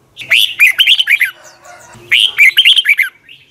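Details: Red-whiskered bulbul singing a morning decoy song for training birds, in the long double twisting voice style. Two rapid, rollicking phrases of warbled notes separated by a short pause with faint twittering.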